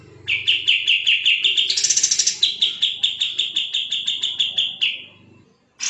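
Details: Kapas tembak, the sooty-headed bulbul, singing a fast, tightly spaced 'gacor speed rapat' sequence as training audio for shamas, leafbirds and magpie-robins. Steady quick chips, a brief buzzy high section, then about fifteen evenly paced notes that trail off.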